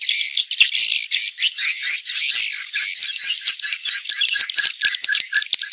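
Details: Edible-nest swiftlets in a Kalimantan lure sound made for swiftlet farmers: loud, crowded squeaky chatter of overlapping buzzy twitters, pulsing irregularly with brief dips.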